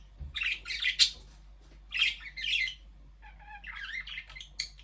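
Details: Budgerigars trade bursts of grating chirps, then a softer rolling warble with a low whistled note mixed in.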